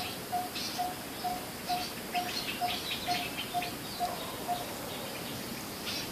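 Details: Coppersmith barbet tapping out low, even 'tuk' notes about twice a second for roughly five seconds before stopping, with scattered faint high bird chirps behind.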